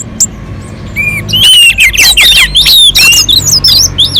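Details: Orange-headed thrush on a mountain slope, song used to prompt other birds to sing: a few soft notes, then a loud fast sequence of looping high whistles and chirps in short repeated bursts.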